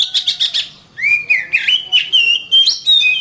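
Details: Oriental magpie-robin, a caged bird in full continuous song, used to train others to fight: opens with quick buzzy chirps, then rising and falling whistled phrases at an even brisk pace.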